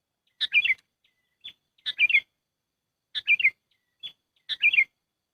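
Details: Sooty-headed bulbul lure call used for trapping birds: bright, bubbly phrases of three or four quick notes, repeated about every 1.3 seconds, with single short whistled notes between, on a clean silent background.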